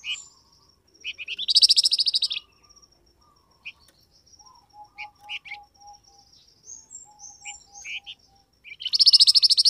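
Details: Flamboyan bird call meant to make wild birds reply: harsh buzzy rattles open and close the sequence, with scattered thin high chips and a soft row of low piping notes in the quieter middle.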